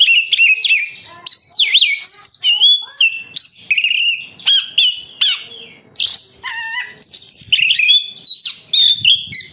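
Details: Oriental magpie-robin (kacer) song played to stimulate captive birds: continuous rich medley of whistled swoops, clipped notes and a brief harsh buzzy burst, delivered rapidly without pause.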